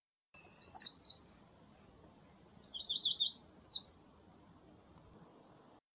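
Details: Song variations of the American redstart: three high phrases of rapid zigzagging notes, the second longer and louder, the last a short burst.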